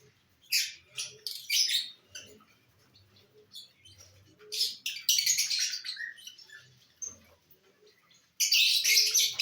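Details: Lovebirds eating corn on the cob make scattered high, scratchy chirps, then a dense run of harsh chattering, a quieter stretch, and a loud screeching burst at the end; faint low rustling beneath.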